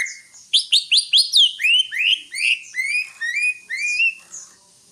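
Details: Greater green leafbird singing a fast, varied phrase: quick sharp chirps at first, then a string of rising whistled slurs repeated about twice a second, fading at the end.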